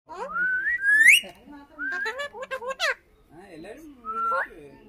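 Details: Pet parrot, called a laughing and talking parrot, in Kerala, Malayalam-speaking home: rising whistled glides, then rapid chattering, laugh-like harmonic bursts and a final upward whistle.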